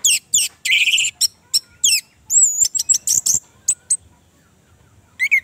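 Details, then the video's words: An Orange-headed thrush pours out a varied, high, sharp song, meant as a lure for a bird that has stopped singing: buzzy bursts, a long wavering high whistle and quick chips, then a pause and one more slurred phrase. "pancingan Anis merah macet bunyi"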